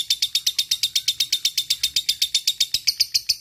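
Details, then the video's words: Lovebird of fighter type in a long ngekek sequence meant to call a rival, used as tutor material: a rapid, shrill, scratchy rattle of about seven notes per second, sustained without pause. "LB FIGHTER NGEKEK PANJANG masteran lovebird ngetik ngekek panjang"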